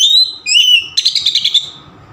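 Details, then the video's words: Oriental magpie-robin in full song, used as a lure to prompt another bird to sing: two clear whistled notes, the second rising, followed by a fast burst of rattling repeated notes that fades away. "SUARA KACER NGEPLONG VARIASI | PANCINGAN KACER"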